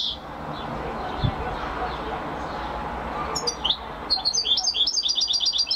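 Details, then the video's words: Champion European goldfinch: after a quiet noisy stretch with a soft thud, a burst of quick bright twittering notes builds into rapid tinkling song. "Carduelis(Goldfinch) Champion amazing singing !"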